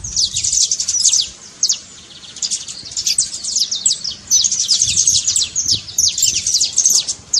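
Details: Trincado song of a saffron finch, meant to rouse a quiet bird: dense high chirping trills of downward-sweeping notes in long phrases, with a short quieter break early on.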